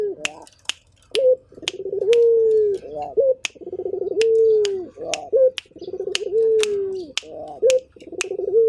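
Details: Actively calling Barbary dove of a local strain: a run of throaty rolling coos, each ending in a short rising flick, repeated every couple of seconds amid frequent sharp clicks.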